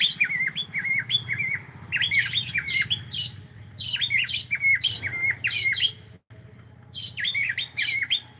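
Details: Cockatiel playing and vocalising almost continuously, repeating swooping whistled notes mixed with harsher squawky chirps in rapid bursts, a low indoor hum underneath and one brief dropout.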